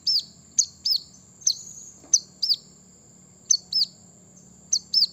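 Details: Brown-throated sunbird song meant to provoke other birds: high doubled chirps with hooked, falling tails, delivered in pairs and triplets separated by short gaps, over a faint steady high hum.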